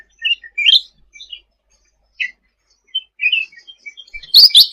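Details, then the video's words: Short 'gacor' burst from a sooty-headed bulbul, masteran tutor audio: scattered chirps and short whistles, closing with loud, harsh, clicky notes. "Suara Cucak Ranting Gacor untuk Masteran ll Suara burung cucak rante"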